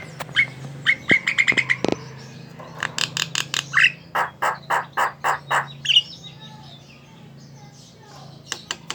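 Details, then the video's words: Javan myna chattering song, used to prompt other mynas to sing: quick clusters of sharp clicks and harsh rasping notes, about a dozen in a row, with a faint background hum. "Suara burung jalak kerbau ngoceh | pancingan jalak kebo"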